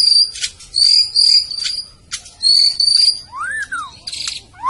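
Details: White-rumped shama, Medan type, giving long, pure high whistles, several held notes in a row, then arched swooping notes, with sharp clicks between phrases.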